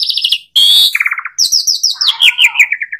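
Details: Short burst of Asian pied starling song: trilled whistles stepping down in pitch, a buzzy note, then a long descending series of bright, repeated chirps.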